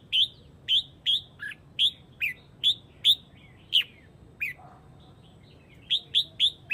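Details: Red-whiskered bulbul from Huế, Vietnam, calling its flock: a series of short, bright, downslurred whistled notes about every half second, a pause, then four more quick notes, over faint low background hum.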